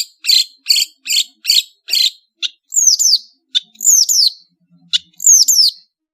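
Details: Long-tailed shrike from Madura in varied song: five evenly spaced harsh, rasping notes, then bright downslurred whistles interleaved with sharp clicks, in an otherwise quiet recording.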